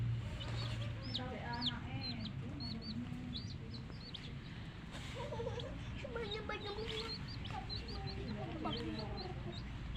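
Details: Coloured hen chicks chirp constantly, with many sharp, high, down-sweeping peeps overlapping in quick succession. Indonesian and Javanese conversation and low hum run beneath them.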